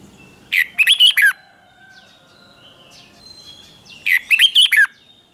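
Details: Caged red-whiskered bulbul singing the doubled 'bern' song style, played for young birds to copy: two short bright warbled phrases about three seconds apart, each a quick run of four or five rising-falling whistled notes, quiet between.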